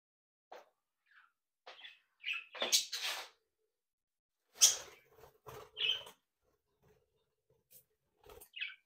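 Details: Pet budgerigars from a home breeding brood, described as talking, tweeting, singing and mimicking, give scattered short sharp chirps and brief warbled notes with quiet gaps, in a small indoor room.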